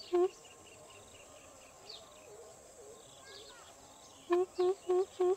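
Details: Greater coucal (mahok): a single low hoot opens, then faint background with distant chirps, before a closing burst of four deep, hollow hoots in even rhythm.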